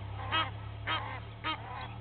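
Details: Egyptian geese (Alopochen aegyptiaca) at Gowrie dam waterhole, Djuma Game Reserve, Sabi Sand, South Africa, 06:01 on 18 April 2019, give four harsh, nasal aggressive honks about every half second over a low hum while two families fight.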